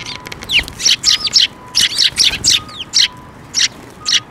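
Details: Close, loud chirping from sparrows coming in for food at a shrine bridge, 5 May 2024. Rapid sharp cheeps tumble out in dense runs, some slurred downward, with soft electronic beeping underneath.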